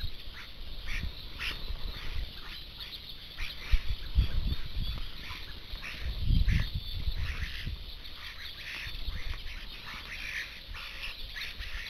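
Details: Flock of about seventy common starlings at a garden feeding place, others sitting in surrounding trees; dense overlapping chatter of short scratchy and whistled notes over a steady low rumble of background noise.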